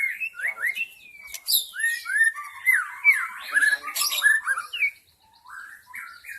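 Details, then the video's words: White-rumped shama from the wild forest singing, played as a lure for wild shamas: quick rising whistles, long sliding downward notes and mixed chattery phrases, fading to quieter notes near the end. "SUARA PIKAT MURAI BATU ASLI HUTAN 100% MEMIKAT MURAI BATU AGAR GACOR"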